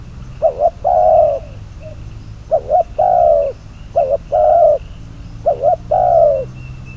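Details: Decoy spotted dove kept for trapping, cooing in a steady series: a short wavering double note then a drawn-out, slightly falling coo, four phrases in a row over a low rumbling background and a thin high tone.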